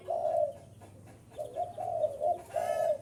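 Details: Spotted dove cooing to draw in wild birds: one drawn-out soft coo, a pause, then a quick run of three or four rounded notes ending in a longer coo, with faint scratchy noise above.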